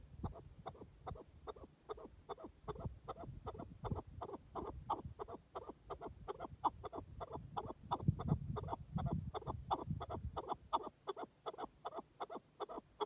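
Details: Partridge calling in the wild: a long run of short, clucking chuck notes, repeated about twice a second, over a steady low rumbling background.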